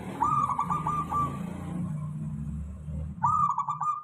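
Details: Local zebra dove (perkutut) song meant to lure other doves into responding: two trilled coo phrases with a quiet gap between, set against steady rumbling low background noise.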